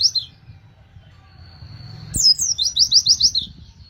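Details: Oriental white-eye giving a short chirp, then a thin held whistle, then a fast burst of rolling high notes, used to encourage other white-eyes to sing; otherwise quiet.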